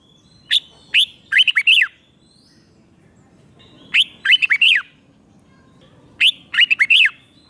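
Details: Red-whiskered bulbul from Thailand repeating its five-syllable song for young birds to copy. Three near-identical phrases, each about one and a half seconds long, come roughly every three seconds. Each has two lead notes and then a quick run of arched whistles.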